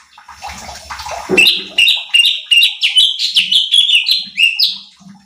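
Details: Training song of a cucak cungkok bulbul to excite other birds: after a brief noisy rustle, a steady string of loud, clear slurred whistles, each note rising sharply and repeated about three times a second.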